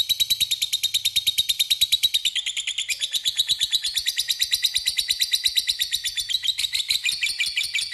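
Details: Lovebird in a long ngekek chatter, played as a lure to call a rival: a rapid, unbroken run of sharp, buzzy high notes, about ten a second, sustained for the whole stretch with slight shifts in pitch.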